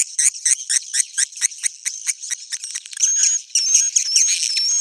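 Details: Swiftlet roosting call used to attract swiftlets: rapid high twittering chirps repeated about twice a second, then a denser run of buzzy chatter with thin whistled notes.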